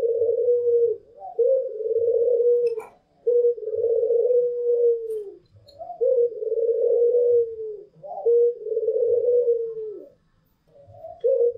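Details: White pelung Barbary dove and a local Barbary dove singing freely: a run of five or six soft, steady, low coos, each one to two seconds, separated by short gaps, with a flick upward at each start.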